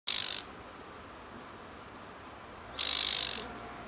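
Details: Blyth's reed warbler; alarm call; alarm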